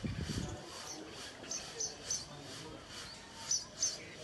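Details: A house sparrow, a common garden visitor, gives short, high chirps, singly or in quick pairs, at an uneven pace; a brief low rumble opens the recording.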